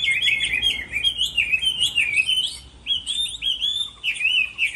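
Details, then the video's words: A Chinese hwamei competition-sings during its moulting season: a rich, continuous run of loud, varied, bright high whistles and slurred phrases, rising and falling with barely a pause. "Họa mi hót đấu mùa thay lông"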